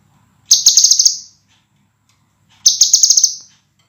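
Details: Master recording of a scarlet minivet for cage-bird training: a pair of shrill, fast-pulsed high trills, each lasting roughly a second and fading at the end, separated by about two seconds of near silence.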